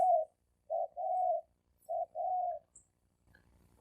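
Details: Challenge cooing of wild-caught male spotted doves squaring up to fight: two phrases, each a short soft note followed by a longer steady coo, then silence and faint rustles.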